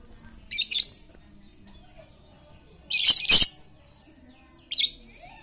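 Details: Very chatty lovebird used to make quiet lovebirds sing: three rough, high, buzzy chatter bursts, the middle one longest and broken into stuttering pulses, over a soft low hum.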